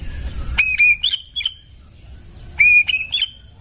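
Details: White-rumped shama singing in the forest: two short bursts of clear, ringing whistles, each a sustained level note followed by quick sharp upslurred notes, with a pause of about two seconds between the phrases.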